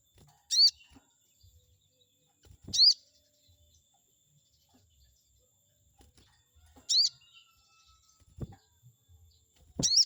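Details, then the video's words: Chestnut-backed scimitar babbler used as a provoking lure for a rival: a few widely spaced, loud, high arched chirps several seconds apart, with soft low knocks and ticks in between. "pancingan burung sogon auto emosi || bikin respon sogon lawan"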